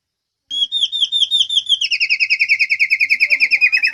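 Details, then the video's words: White-rumped shama (murai Medan) singing to prompt other birds to answer; a clear whistled phrase of slurred notes, then a fast run of about twenty rapid, evenly repeated chirps, in clean quiet surroundings. "MASTERAN SUARA BURUNG MURAI MEDAN. GACOR BURUNG BAHAN PASTI IKUT NYAUT."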